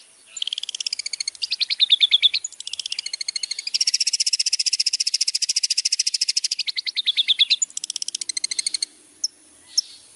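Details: Long-tailed shrike master song used for training: long runs of rapid, evenly pulsed high notes forming buzzy trains, broken by brief varied chattering phrases and ending in two isolated sharp clicks.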